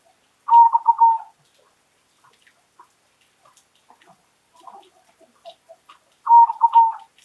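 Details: Two loud cooing phrases from a local zebra dove open and close the recording, each a rapid stutter into a held coo, with soft scattered chirps and ticks in the pause between them.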